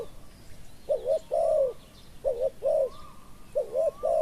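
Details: Spotted doves cooing in a decoy session for a small-voiced wild dove; three phrases, each a double coo followed by a sustained croon, with a thin higher whistle from another bird.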